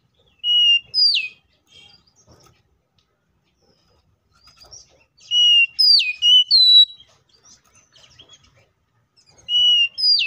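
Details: Fighting song of an Oriental magpie-robin, meant to draw other magpie-robins into singing: short bursts of clear, high whistled notes with sharp downward sweeps, separated by pauses of several seconds.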